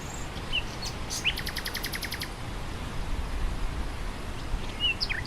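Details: Bird song with wind through grass: a few sharp chirps, then a rapid, even high rattle of repeated notes lasting about a second, followed by sparse slurred whistles over continuous breezy noise.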